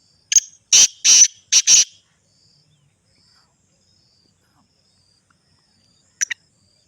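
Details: Sindhi black francolin giving one loud, harsh, grating phrase of five rasping notes: a short opening click, then two longer scraped notes and a quick closing pair, followed by silence and a brief faint final rasp.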